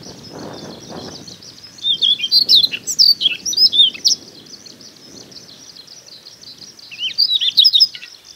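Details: Siberian rubythroat singing in Hokkaido coastal grassland in early summer, May–June, recorded on a Nikon Coolpix P950: bursts of varied high warbled, twittering phrases in two clear strophes with low wind rumble between.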